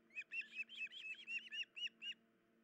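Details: Osprey at its nest on 10 July 2019 around 04:51, an injured female unable to hold fish to feed her chicks: about ten sharp whistled chirps in quick succession, each slightly downslurred, steady low hum behind.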